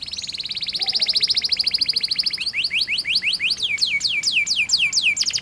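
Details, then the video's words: Canary in rolling 'ngerol' style, played as a lure for young canaries learning song: a fast buzzing high trill gives way to separate sharp descending whistles repeated rapidly, over faint background hiss. "Burung kenari gacor panjang Cuit Cuit ngerol Pancingan Kenari Paud belajar bunyi"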